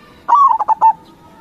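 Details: Crossing-style song phrase from a local zebra dove used as a lure: a short rising coo sliding into four quick pulsed notes, the last held longer, over a quiet background.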